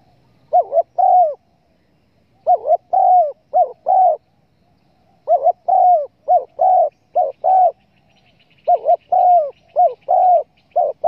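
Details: Spotted dove calls for luring birds while hunting: bursts of low coos with bending pitch in groups of three to five, separated by short pauses; faint high chirping from another bird partway through.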